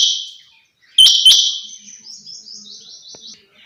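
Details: Female quail, known locally as chinga batair, gives a sharp doubled note followed by a fading series of softer trilled notes.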